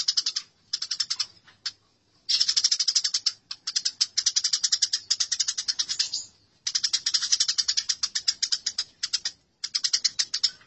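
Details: A songbird training recording of fighting house sparrows: dense, rapid, high-pitched chirping chatter in long stretches of several seconds, with a few brief silent breaks.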